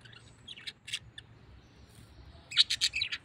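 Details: Parrot chattering in quick high chirps, a few spaced notes first, then a loud, rapid run of squeaky calls in the last second.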